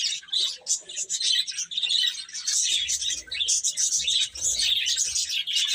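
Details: Baby chickens eating and playing give nonstop high chirps, many voices overlapping in a busy, shrill chatter.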